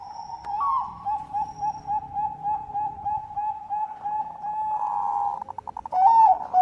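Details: A Bangkok-type zebra dove (perkutut), offered as a lure call to prompt other doves, sings a soft, mellow cooing song with a rapid rolling pulse, steady and mid-pitched, ending in a brighter flourish.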